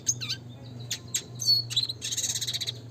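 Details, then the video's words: Red siskin training song in the classic lively style: quick high chirps and a curving whistle, then a dense buzzy high trill in the last second, with a low background hum. "pancingan suara kicau burung red siskin klasik gacor nembak ngeroll"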